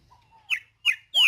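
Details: Green-winged saltator, tempera viola song type, in nature: a soft low whistle, two sharp down-slurred notes, then the start of a loud clear falling whistle.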